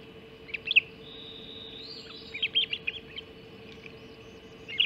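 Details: Hog Island Ospreys greeting a breakfast mackerel at 04:50 on 30 June 2016: short clusters of sharp, high chirps separated by a long thin whistle, then a final burst, with an electrical hum throughout.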